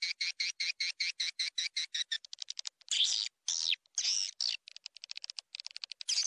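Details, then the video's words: Swiftlet lure call: a rapid, even run of sharp high chirps, about five a second, broken by harsh buzzy rasps and quick clicking twitters. "SUARA PANGGIL WALET"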